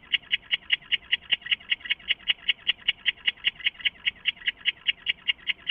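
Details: Night-time calling by an owl inside its nest box hideout, 23 August 2014 in the small hours: clipped, evenly spaced notes repeated about two and a half times per second without pause.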